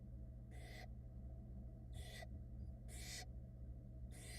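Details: Barn owl young in a Florida nest camera box, six hatched in February 2022, hiss harshly at their mother drying off after getting wet: four broad, rough bursts in quick, irregular succession over a background hum.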